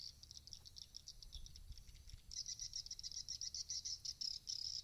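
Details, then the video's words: Swiftlet calls played at a bird house to lure swiftlets to roost: rapid high, thin chirps in a dense twitter, sparse at first and then in quick regular bursts several times a second, with a faint low hum beneath. "SUARA RUMAH WALET CEPAT MENGINAP"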